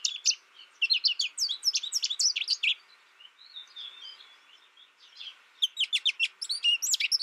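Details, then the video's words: Young American goldfinch, kept in isolation and tutored only by a recording, gives bursts of quick high chirps, then a softer rambling warble mid-phrase before rapid twitters resume. "My American Goldfinch sings a tutor calling birds, goldfinch excitation to sing,goldfinch chirping"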